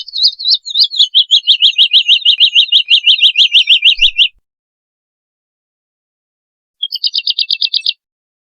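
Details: Prolific, melodious song of a wood lark: a long, steady series of quick, identical fluty notes lasting about four seconds. After a pause comes a shorter, brighter run of repeated notes.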